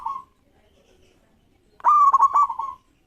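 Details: Local zebra dove singing to make rival birds answer. A brief coo, then near-silence, then one loud phrase: a rising opening note followed by a rapid stutter of clipped pulses that fades out.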